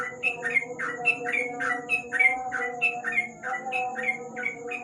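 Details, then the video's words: Sooty-headed bulbul singing in ropel style at night under a lamp: a rapid run of short, bubbly whistled notes, about three per second, each dipping in pitch, over a steady low hum and a faint thin high whine. "Burung trucuk,An ropel malam hari dibawah lampu"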